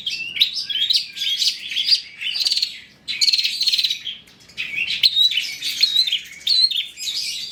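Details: Long-tailed shrike, full song as a luring recording: continuous rambling chatter of mixed scratchy and whistled notes, broken by short pauses near the middle.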